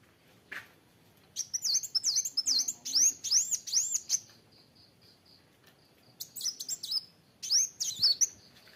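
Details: Kolibri wulung sunbird singing in full voice (gacor): bursts of high, squeaky, rapidly looping notes in rising and falling arcs, broken by short pauses and thin steady peeps before the next energetic run.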